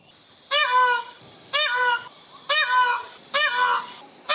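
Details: Peacock giving loud, nasal, trumpeting calls, each a rich harmonic wail about half a second long, repeated roughly once a second with a faint high hiss behind.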